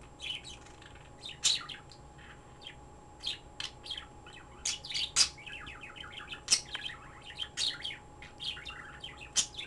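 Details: A pet bird sings on and off in rapid high chirps and short trilled phrases, with sharp squeaky peaks every second or two, over a constant low hum.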